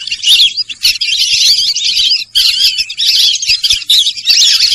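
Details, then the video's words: Dense, high twittering of Sarail birds: harsh, overlapping chirps in two long bursts split by a short pause. "সরাইল পাখির ডাক।Sorail pakhir dak"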